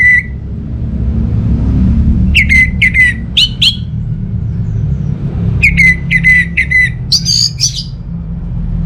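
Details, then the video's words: Orange-headed thrush song meant to prompt silent birds at home to sing: two separate bursts of quick, clear whistled notes with a long quiet gap, the second ending in a higher, buzzier phrase. "ANIS MERAH Mau Nyaut Gacor"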